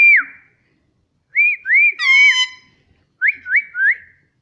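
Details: Indian ringneck parrot kept as a talking pet indoors, giving clear whistled notes: a short rising whistle, then a pair of looping whistles and a harmonic-rich phrase, then three quick upward-swooping whistles near the end.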